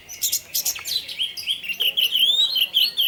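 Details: Orange-headed thrush (anis merah) song played to coax other thrushes into singing: rapid run of bright, twittering whistles and clicks, becoming a continuous warbling stream of high slurred notes toward the end.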